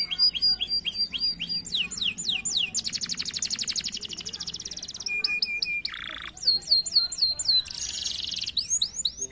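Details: Farm-kept canaries in full song, used as a lure to make other birds sing: fast repeated chips, a long buzzing roll, clear flat whistles and looping slides, continuous and bright, over a soft low hum.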